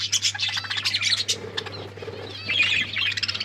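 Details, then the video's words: Feeding pet budgerigars give rapid, piping chirps and warbles in a steady stream, rising to a louder twittering burst near the end, over a low steady hum. "Beautiful budgies eating food birds chirping sounds"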